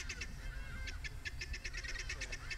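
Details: A flock of guineafowl in the Maasai Mara gives harsh, rapid, cackling calls in overlapping bursts over a low rumble, in the evening under storm clouds with thunder rolling.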